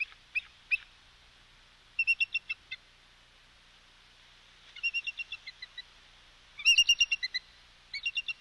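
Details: Bald eagles at their West End nest, live camera, 9/3/22 at 10:28: repeated bursts of high, thin chittering notes, each run of several piping chirps falling off, recurring every couple of seconds over a soft hiss.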